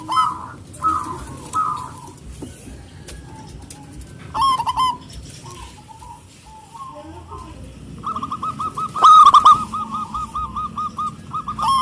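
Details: Zebra dove of a local type, singing loudly and excitedly to summon rivals: scattered soft coos early on, then a loud rolling burst and a fast chain of clear, ringing notes near the end.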